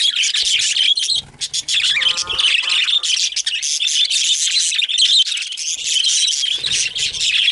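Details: Several excited pet budgerigars chirping together: a dense, nonstop stream of high warbling twitters and chirps, with a short lower, buzzy harmonic note about two seconds in and brief dips in the chorus.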